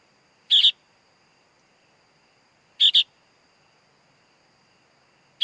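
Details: Sooty-headed bulbul chick repeating loud, rough two-syllable rasps roughly every two and a half seconds against a faint steady whine.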